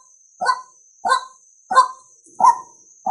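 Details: Harsh, repeated croaking notes of a male White-breasted waterhen, about one every two-thirds of a second, the last note cut off; a luring call for males, with a steady faint high hum behind it.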